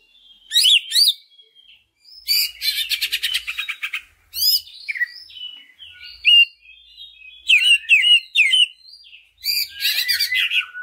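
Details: Greater green leafbird song meant as a lure to get other leafbirds singing: sharp chirps, rapid buzzy rattles and twisting whistled notes in separate bursts with brief pauses between.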